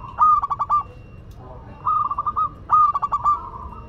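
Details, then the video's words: A local Madura zebra dove, lively in song, delivers three similar phrases, each a whistled onset followed by four to five staccato cooing pulses, spaced about one and a quarter seconds apart. "Perkutut Lokal Madura Gacor"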